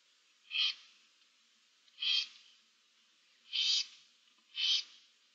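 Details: Barn owl family in a nest box, an adult with seven owlets, 15 March 2024; four harsh, breathy hisses, each about half a second long, come every one to one and a half seconds against a quiet background.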